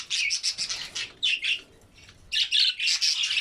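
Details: Albino budgerigars, red-eyed, at a meal of vegetables: quick bright chirps in rapid runs, a short lull near the middle, then a louder burst of overlapping tweets.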